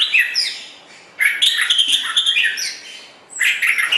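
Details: White-rumped shama song used as a master recording for training songbirds: bright, varied high whistles and chattering phrases in two loud bursts separated by a short quieter gap, with a clean background.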